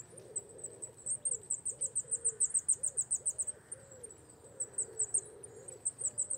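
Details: Wallcreeper wintering among rock walls and quarries, beginning its moult from plain to breeding plumage; a quick series of sharp, very high-pitched notes, briefly pausing then resuming, over soft low background rumble.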